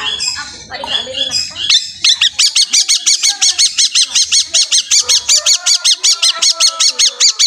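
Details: Long-tailed shrike, Pastol type, singing hard to stir other shrikes; after a jumbled warbled opening, a long series of harsh, buzzy, evenly spaced notes repeated almost three times a second.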